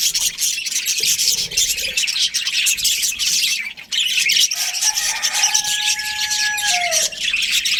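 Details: Budgerigar breeding pair, chirping: a dense stream of high, scratchy chatter with a few longer whistled notes near the end, one falling at the close.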